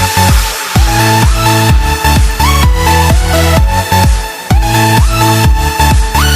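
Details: Pounding electronic dance track with heavy repeated bass drops and sliding synth tones throughout, with no animal voice audible.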